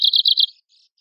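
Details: Arctic warbler song used to tutor contest birds: a short burst of four or five quick, buzzy, high notes in a rapid trill, ending abruptly into quiet.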